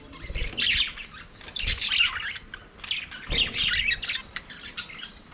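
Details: Budgerigars in an aviary singing and playing: wavering warbled chatter and squawky notes in uneven bursts, with a few low knocks.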